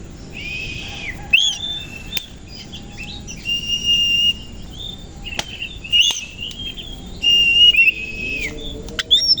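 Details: Koci-type Oriental magpie-robin singing in the morning with tail spread; long steady whistles and slurred notes separated by gaps, with a faint lower whistle near the end.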